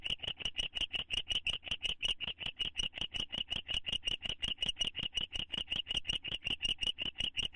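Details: A nest-box owl pair bonding in spring 2011. A loud, steady run of sharp, clicky chitter notes comes at close to three per second, crisp and evenly paced throughout.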